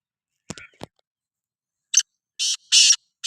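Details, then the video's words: Black francolin, Sindhi kala teetar, heard after two sharp clicks and a pause: a short harsh note, then three loud rasping buzzy syllables, the last one cut off. "Kala Teetar Voice | Black Frankoline Voice | Sindhi Kala Teetar Voice کالا تیتر کی بولائی"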